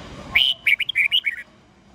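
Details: Morning song of a red-whiskered bulbul in the 'old forest voice' 8-9-10-note style, used to coach young birds. A crisp phrase of about eight loud, clear whistles, the first drawn out, the rest short and bouncing, in quiet surroundings.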